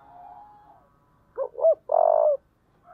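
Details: Spotted dove with a 'giọng thổ' voice, stirred up to fight, gives two short rising coos and then a long, steady, low coo. Softer, drawn-out coos are heard before and after it. The background is quiet.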